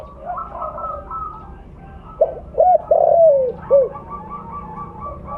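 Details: Spotted dove of the mottled 'blorok' colour type, a loud, vocal bird used as a lure call: two short arched coos, a longer coo sliding downward, then a final short note, with other doves cooing steadily behind.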